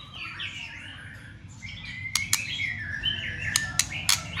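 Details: White-rumped shama giving a fighting song with continuous clicks and tail-flicking, meant to stir other shamas. Low, wavering whistled phrases run through, broken by five sharp, loud clicks in the second half, over a low background hum.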